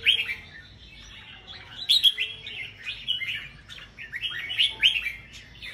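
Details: Competition singing from caged red-whiskered bulbuls. Loud whistled phrases come in several bursts, mixed with busy chattering warbles from more than one bird.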